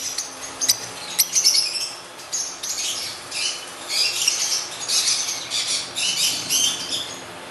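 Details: Male and female lutino African lovebirds making happy sounds: a dense, continuous stream of harsh, scratchy high chirps and squeaks, overlapping and uneven in loudness throughout.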